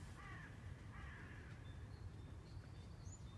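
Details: Canada geese by the Marne at Saint-Maur-des-Fossés, France, April 2019, giving two quick nasal honks near the start, then faint high bird notes over a constant low background rumble.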